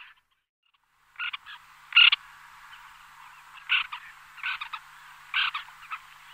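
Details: White-winged terns flying in a small flock, each call a short, rough, buzzy rasp, given singly or in quick pairs about once a second after a silent opening.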